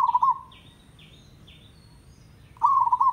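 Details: Local village zebra dove, a caged-bird training recording meant to make doves sing often: a short burst of rapid, soft cooing notes, a pause filled by faint higher descending whistles from another bird, then the cooing run resumes.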